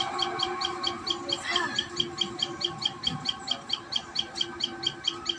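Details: At its nest, a common tailorbird repeats bright high chirps roughly twice a second, evenly spaced throughout, with a brief rustle near the start and constant low hum.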